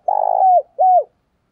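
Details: Decoy spotted dove calling to lure and provoke wild doves: a loud, warbled coo near the start that slides into a smooth held note, then a second short arched coo, with silence after.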